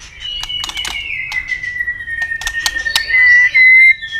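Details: White-rumped shama in fighting song with double-note tail clicks; a long, steady, slightly falling whistled tone runs under sharp click-like ticks, ending in two louder sustained whistles.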